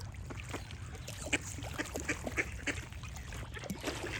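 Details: Duck quacks alongside singing birds: short nasal calls repeated several times a second in loose bursts, with thin bird whistles over a low background rumble.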